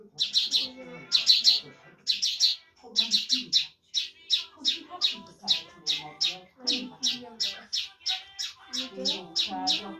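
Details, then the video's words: Lark song in the Mashadi jal style, Irani and Afghani: fast, even series of dry, clicking chirps repeated about three times per second, grouped at first into short bursts, then running steadily for several seconds. "Mashadi lounda larks irani afghani jal Singing (irani Mashadi Jal) [afghani jal] top jal مشهدي"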